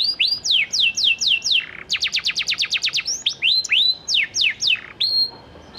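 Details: Singing panda canary meant to provoke other canaries into replying: rolling high sweeps alternate with a rapid burst of sharp clicking chips, then more swooping whistles with some fading tones.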